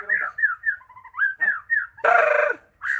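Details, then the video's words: Lure song of a magpie-robin, meant to make a stalled bird sing: a string of short slurred whistles, each falling in pitch, followed by a loud, broad, harsh scolding burst and a last rising whistle. "Pancingan Burung Murai Macet Jadi Gacor"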